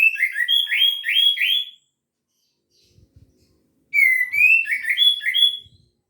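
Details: Orange-headed thrush delivering gacor teler song, played to provoke quiet thrushes into singing: two rich phrases of quick rising whistled notes, each about two seconds long, separated by a short gap with faint low thumps.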